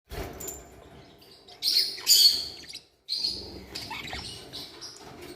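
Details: Newborn Forpus parrotlet chicks begging: bursts of high, harsh, raspy chirps, loudest near the middle, with a short silent gap, then softer scratchy calls.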